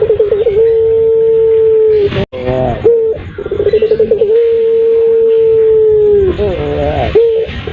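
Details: Puter pelung turtle dove sound used as a lure: long, steady, mellow low coo held for about two seconds, opening and closing with wavering, bubbling warbles, repeated twice.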